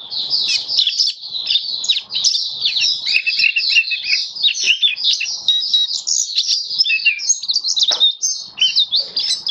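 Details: Captive Oriental white-eye, recorded 27 October 2022, pouring out a dense, nonstop high twittering song of jumbled slurred chips and trills for nearly ten seconds, with faint low clicks behind.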